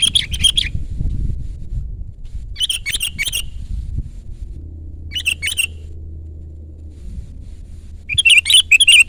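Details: Sooty-headed bulbul song for luring and tutoring caged birds: short bubbly phrases repeated about every two and a half seconds, each a tight cluster of chirpy slurred notes, separated by quiet gaps with faint low hum.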